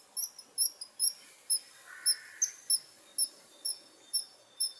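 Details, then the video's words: A kingfisher gives shrill, piercing high whistles, short and sharp, repeated about twice a second in a steady series. "Kingfisher Sound"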